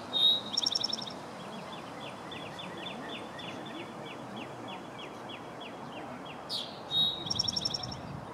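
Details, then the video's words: Eastern towhee singing in Columbia, South Carolina, USA, on 7 April 2017: two loud bursts of a clear introductory note followed by a fast buzzy trill, with a faint series of other bird chirps between them over steady background noise. "Eastern Towhee singing / Tohi aux yeux rouges chantant"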